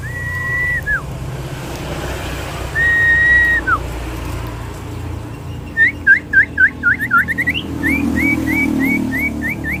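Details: Common iora of the sirtu fighter type singing: long, steady whistled notes that drop at their ends, then a fast run of short, sharply rising and falling chirps, over low background rumble.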